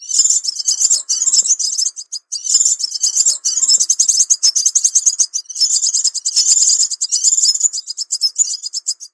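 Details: Crimson Sunbird lure-call recording: a dense, very high-pitched twittering of rapid thin chips and short trills, pouring out almost without pause through the whole stretch.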